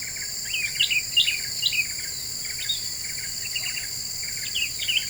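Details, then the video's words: Black-winged bulbul (kutilang emas) in lively lure song: a busy run of short chirped and whistled notes, uneven in rhythm, over a steady high electronic-like hum. "Suara Pikat Kutilang Emas Super Gacor,,Bikin Burung Lain Pada Emosi"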